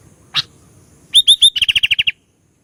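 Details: After a single short sharp note, a sooty-headed bulbul gives three slurred whistles and then a quick sequence of about nine crisp repeated chirps in quiet surroundings.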